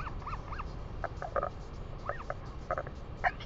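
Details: Northern Royal Albatrosses, a chick with both parents, at a nest on Pukekura/Taiaroa Head, New Zealand, in the 2019/2020 breeding season: short nasal, arched whinnying notes and clipped braying syllables in scattered bursts over a steady low rumble of wind.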